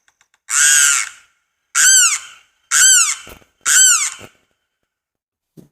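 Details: A Limpkin, a tropical wetland bird, gives four loud, harsh wailing screams, each about half a second long and falling in pitch, spaced roughly a second apart.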